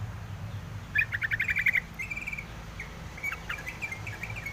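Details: Wild yellow-vented bulbul calling: a bubbly burst of rapid chirping notes, then a short run of scattered sharp chirps. Low rumbling background noise throughout.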